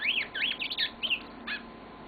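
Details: Yellow-fronted canary kept at home giving a short burst of song: a few fast warbled, twisting whistles in quick succession, then one brief chirp after a pause.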